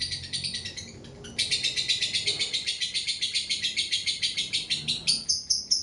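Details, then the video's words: Lovebird in ngekek mode: after brief chatter and a short gap, a long loud trill of rapid rasping pulses runs on evenly, ending in a few higher, clipped notes. "LB ngekek panjang"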